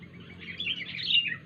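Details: Brief, unusual call of a wild sooty-headed bulbul: one short warbled phrase of slurred chirps that climbs and then drops, with a faint low hum behind it.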